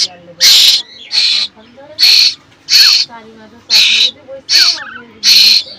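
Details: A hungry, hand-fed Asian koel chick, kept in a pigeon cage, shouts for food with seven loud, harsh, hissing screeches about one per second, while a person talks softly between them.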